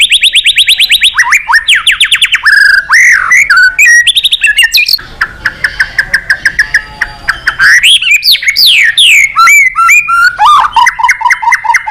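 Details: White-rumped shama singing to call a rival, starting with a quick repeated trill, then mixed whistles and chatter, a quieter stretch of soft scratchy notes, and a loud return of rich varied phrases.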